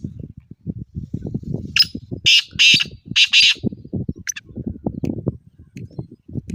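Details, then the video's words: Training call of a black francolin, meant to make a non-calling bird start calling. Three loud raspy notes rise over steady low thumping and rustling noise that runs throughout. "Kaunse Teetar ki Awaaz Saaf Hai?"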